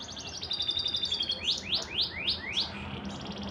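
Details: Blackred canary, back in action during the rainy season, singing a quick run of short high notes, then five sharply rising upslurred whistles about a quarter second apart, ending in a thin high trill over a low background hum.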